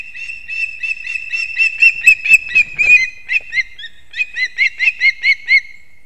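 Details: Osprey at a nest in Kurzeme, Latvia, at 6:40 am on 3 September 2024, as the male brings two fish at once to the chicks. Short whistled chirps repeat about twice a second, with a slight downward slur at the end of each.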